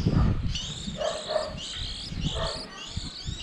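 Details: Young white-eyes at the season's start, a lure for trapping: a few clear high, rising and falling squeaky chirps repeated in short bursts, over a low rumbling background noise.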